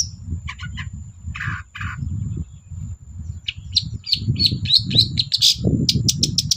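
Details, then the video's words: Energetic 'gacor' singing of a long-tailed shrike, played to stir silent cendet birds: rapid clipped chirps and short buzzy bursts accelerating into dense high twitters, over a continuous low rumbling background and thin high whine. "BURUNG CENDET GACOR DOR PANCINGAN CENDET MALES BUNYI"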